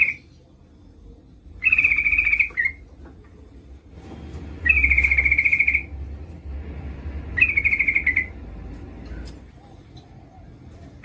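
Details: Female Yellow-vented Bulbul calling the male, meant to prompt him to sing: three steady rattling trills, each lasting about one second, separated by long pauses with low background rumble.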